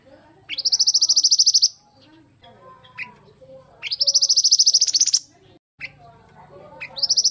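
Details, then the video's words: Lively Pied bushchat song for bird training: two long, fast, high trills, each starting with a sharp upward sweep, separated by pauses with soft low chatter and a steady background hum. "mantenan gacor"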